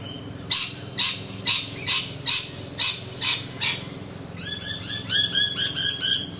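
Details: Rainbow lorikeets, a group perched close in low branches, give harsh broadband screeches repeated about twice a second, then a faster burst of shorter chattering notes.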